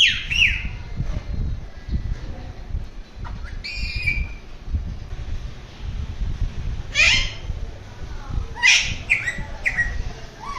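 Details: Alexandrine parakeet making different sounds: scattered harsh squawks and short screeches, a few near the start and a denser burst of three or four in the last four seconds, over low background rumble.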